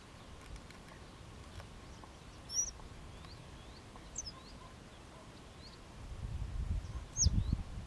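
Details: Western yellow wagtail with several thin, high slurred call notes, some rising and some falling, spread irregularly through the recording; faint lower chirps between them and a louder low rumble toward the end.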